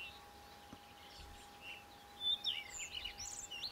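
Common redstart: a few faint high chirps, then a quick burst of bright, varied twittering notes over the last second and a half, above a steady electrical hum.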